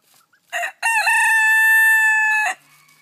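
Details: Buff Silkie rooster with poor eyesight crowing in the morning while trying to keep his hens in line: a short harsh opening note, then a long, loud, even drawn-out crow lasting nearly two seconds that ends abruptly.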